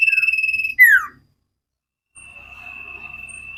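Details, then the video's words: Common iora training recording for cage birds in sirtu style: a pulsed whistled trill breaks into a falling slur, then after a silence a softer, thinner trill begins. "Burung cipow sirtu masteran Gacorrr banget"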